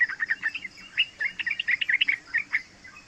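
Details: Three-month-old yellow-vented bulbul's training song, played to make other bulbuls answer: dense, fast, gurgling warble of tumbling liquid notes rising and falling, with a faint high tone underneath.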